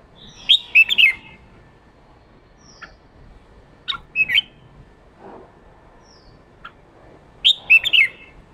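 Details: Red-whiskered bulbul male, fired up, delivering ché song meant to provoke wild-caught bulbuls into singing: bright, quick, slurred whistled phrases at the start and end, with a few scattered chips in between.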